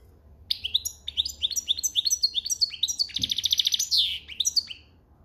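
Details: European goldfinch in breeding condition singing in the 'campero' (country) song style: fast, high-pitched twittering of tinkling notes and short buzzy trills, with a dense rattling burst near the end and one brief low thump.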